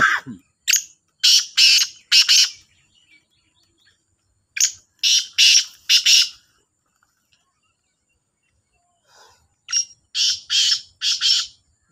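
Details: Competing calls of two black francolins, known as kala teetar: three grating, raspy phrases of three to five clipped notes each, separated by quiet gaps of roughly two to three seconds.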